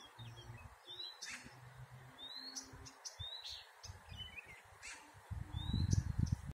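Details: At Górki Czechowskie, Lublin, on 26 May 2019, a Blyth's reed warbler sings a slow, unhurried string of short swooping whistles and dry clicks, each phrase repeated, over a steady low background rumble.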